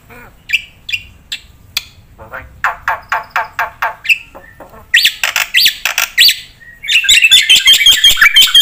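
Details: Scattered single whistled chips, then a Black-winged myna builds into 'gacor full isian' song: rasping repeated notes, loud rising squawky phrases and finally a fast buzzy rattle with a thin high whistle.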